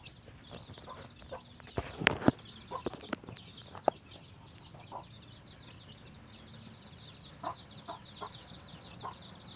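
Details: Chickens searching out food for their babies. Continuous high peeping chirps fill the background, with a burst of loud clicks and scuffling near the second and third seconds, then scattered soft clucks.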